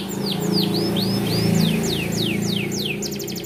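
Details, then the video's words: Bon-coloured small standard AF canary singing as tutor for young canaries: spaced, clear swooping whistles in a steady series, closing with a brief buzzy trill, set against a prominent low droning background. "BURUNG KENARI AF STANDAR KECIL WARNA BON COCOK UNTUK MASTERAN KENARI MUDA"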